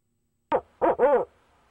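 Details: Barred owl at a nest box, male calling to his mate on 29 April 2019: one short hoot followed by two fuller hoots, the last long and slurred, in a quiet setting.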